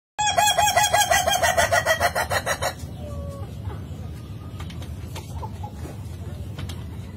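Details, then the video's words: Ayam ketawa, the Indonesian laughing chicken, crowing: a rapid run of pulsed, cackling notes for almost three seconds, falling slightly, then fading into background noise with a few faint later calls. "Ayam Ketawa Bersuara Merdu"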